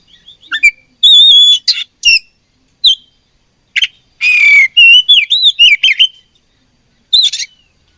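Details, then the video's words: Song of an oriental magpie-robin during a fight: clipped chips and a steady whistled note, then a harsh rasp and a wavering chain of slurred whistles. "Beautiful Chirping Sound Of Fighting Birds"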